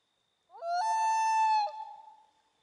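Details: Common loon on Swains Lake, recorded from a kayak during a fishing trip on 27 August 2014: a long, pure, mournful wail that steps up in pitch at the start, holds steady for about a second, then breaks off.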